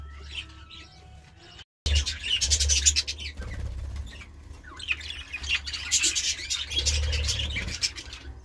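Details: Budgerigar chatter: dense, scratchy, buzzy calls run almost continuously after a short silence, with quick irregular notes over a low hum.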